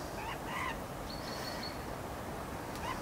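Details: Northern goshawk pair waiting to mate: a few short, faint downslurred calls in the first second and another near the end, over steady background hiss and a thin, high, continuous tone.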